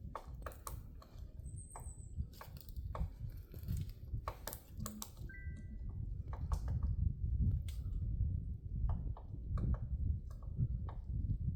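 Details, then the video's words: A woodpecker pecking at a tree on Namsan, Chungju, on February 7, 2026: sharp, dry knocks at an uneven pace, roughly one or two a second, over low wind rumble, with a few thin bird calls. "딱따구리가 나무 쪼는 소리(woodpecker pecking at the tree)"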